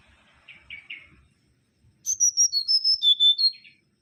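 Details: Mangrove whistler (Pachycephala grisola), an insect-eating bird of lowland and coastal forest: three short buzzy notes, a pause, then a loud sequence of about eight clear whistled notes descending in steps, ending with a soft buzz.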